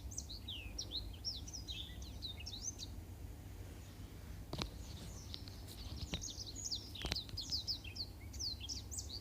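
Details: Black-throated canary song meant as a master recording for canaries. High, rapid twittering phrases with sweeping whistles stop for a moment, a few sharp knocks or clicks sound, then the chattering song resumes over a low hum.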